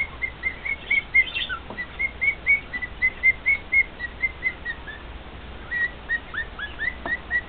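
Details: Captive male cockatiel singing to two other cockatiels, a rapid series of clear whistles about four per second, then a short break and a run of sliding, upward-curving notes.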